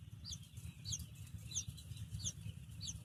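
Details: Baby chick peeping softly: thin, high, quickly sliding chirps repeated about every half second, over a steady low rumbling background noise.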